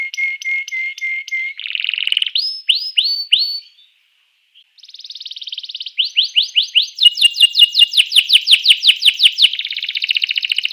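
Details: Canary singing to provoke rival canaries into song: short repeated chips, then a run of bright downward-sweeping whistles, a brief pause, and a long series of quick rising and falling tours.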